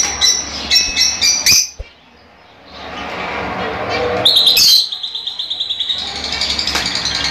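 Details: Fischer's lovebirds vocalizing to encourage breeding: sharp, high chirps and squeaks, then a quiet gap, then softer rapid chatter with one loud screechy burst.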